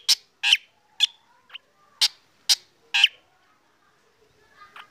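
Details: Black drongo in morning sun giving song: six or seven loud, scratchy, sharply struck notes with whistled overtones at irregular intervals, then a short silence and a soft final note.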